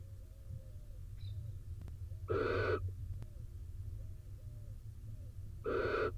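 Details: Israeli barn owl nest box during rain as the wet male returns to the female sitting on eggs. Two raspy, noisy hisses about three seconds apart, with a quiet wavering tone and clicks between over a constant low rumble.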